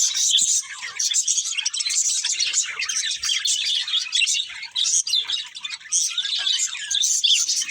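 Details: Budgerigars keep up a dense, continuous high-pitched chatter of overlapping squeaks, warbles and rapid chirps with no real pauses.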